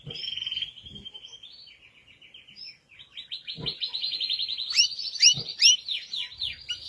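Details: Red Belgian canary singing: a steady rattling trill near the start, then a long, rapid, buzzy warble with quick down-slurred notes, broken by a few low thumps.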